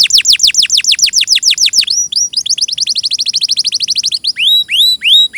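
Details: Singing canary: a run of steep falling notes, then a quicker stream of short repeated notes, closing with slower rising-falling whistled phrases.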